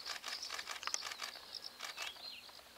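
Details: Asian house martins (Delichon dasypus) at Taipingshan Villa on 20 June 2015 give quick, high, buzzy chirps and twitters in a rapid jumble, with soft tapping and clicking sounds mixed in.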